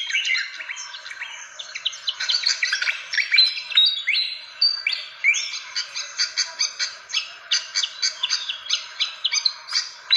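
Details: Fantail call used as a lure to attract birds: a dense, continuous stream of high twittering notes and short rising whistled slurs, turning into rapid, evenly spaced sharp chips in the second half.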